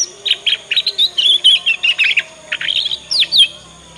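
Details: Young Yorkshire canary learning the ngriwik sound, a lure song for prompting other canaries to answer and learn quickly. It gives rapid, dense twittering with short bright chirps and trills repeated several times each second. A faint steady hum sits underneath.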